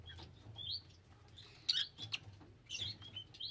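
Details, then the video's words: Lovebirds chattering with quick high chirps and short whistled, upslurred notes, several clustered in rapid bursts, over a soft low background rumble. "Love Birds Nature Sound"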